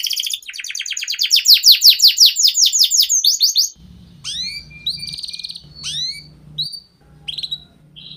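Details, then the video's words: Canary in long continuous song, used as a training lure for young birds: a dense, rapid trill of falling notes for three seconds, then scattered clear whistles and short trills over a low background hum. "Pancingan Kenari Paud Agar Cepat Bunyi || MASTERAN Burung KENARI Gacor Panjang"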